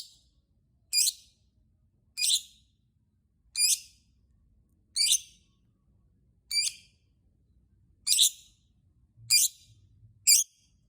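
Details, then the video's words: Lovebird calling to get other lovebirds singing: a steady series of eight sharp, shrill chirps, each a quick downward-sweeping squeak, repeated roughly every second and a quarter. "Burung Lovebird Berkicau Pancing lovebird lain"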